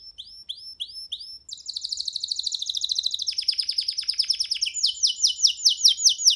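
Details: Free baby canary on a hand sings short repeated whistles, then a long fast trill that drops in pitch, ending in a series of strong downslurred notes.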